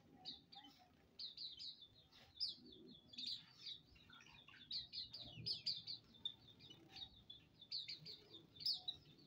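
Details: High twittering from a bathing colony of Hume's white-eyes: many short chirps run together in overlapping strings from numerous birds, with faint low rumbling behind.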